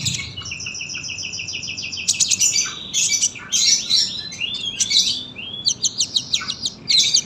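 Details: Lively sunbird singing long and dense, a tutor recording for young birds: a steady thin buzzy trill opens, then rapid high chattering phrases and quick descending chirps follow without a break.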